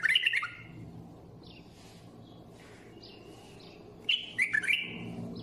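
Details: Bulbul warbling in short bursts at the start and near the end, quick liquid chirping notes, with a few soft, distant whistles between and a steady low background hum.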